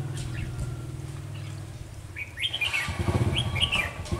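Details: Red-whiskered bulbul used as a decoy for trapping on a sunny, windy day in Vietnam: quick bubbly whistled phrases, rising then falling, over a low rumbling engine-like background noise.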